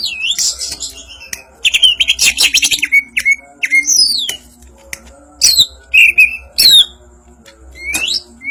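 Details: Greater green leafbird of the Banyuwangi type singing in the ngentrok njambul style: bright whistled notes sliding down from high pitch, mixed with dense buzzy rattling bursts and sharp clicks, in irregular phrases.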